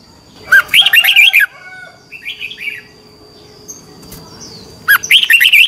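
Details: Training bulbul song: a red-whiskered bulbul's competition singing, with a loud warbled phrase, softer mid-pitched chatter in between, and a final bright burst of whistled notes.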